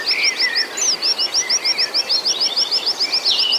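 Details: Oriental white-eye song used as a lure to rouse a caged bird: fast string of high, sharp, down-slurred whistles, somewhat irregular, with softer lower twitters and chirps mixed in.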